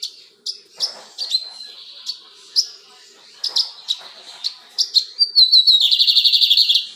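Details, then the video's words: Lined seedeater, full-plumaged adult male, singing and calling: spaced sharp chirps and short whistled notes, building into a rapid, buzzy, rattling trill in the last two seconds. "Bigodinho encapado cantando e piando!"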